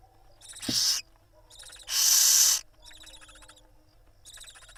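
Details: Barn owls at a live nest camera in Israel on 26 April 2021, the mother preening her chicks. Two loud, harsh, breathy hissing bursts of about a second each, with fainter hisses between them.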